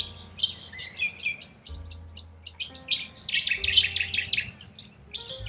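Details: Australian wild corella cockatoos: bursts of grating, squawking flock chatter rising and falling in intensity, with soft sustained music tones beneath.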